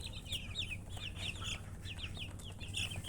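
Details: Chicken chicks chirping: bright, high peeps that dip downward, given in quick runs of two or three with short gaps, over a persistent low droning background.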